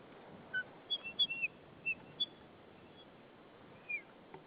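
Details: White-tailed eagle pair at their nest in Saunja, Estonia, 22 March 2013 at 14:08; the female calls as the male arrives busy with a stick. Short high whistled notes come in an uneven burst, then one more after a pause, over steady background hiss.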